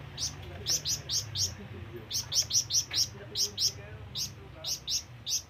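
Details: ['Calling flamboyan bird, its sound meant to draw rivals and companions: bursts of short, piercing high chirps in quick groups of three to five, separated by brief gaps.']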